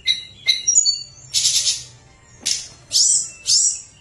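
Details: Hill blue flycatcher in fluting song for drawing out lazy singers: a few clear whistles, then buzzy harsh bursts and rising slurred notes repeated about every half second.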